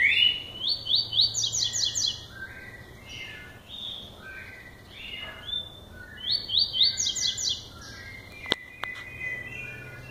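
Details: Lined seedeater male beginning to sing, classic song style: a rapid stuttering series of high clipped notes followed by lower slurred whistles, the phrase given twice, with a couple of sharp clicks near the end.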